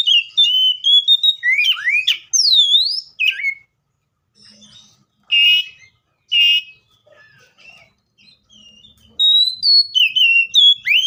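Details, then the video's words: Seychelles magpie-robin song, loud and clear: sweet whistled notes sliding up and down, a looping swooped phrase near the start, then quieter scratchy bits and a closing run of bright rising whistles. "COPSYCHUS SECHELLARUM BIRDS SOUNDS LIKE IN NATURE LOUD CLEAR SOUNDS"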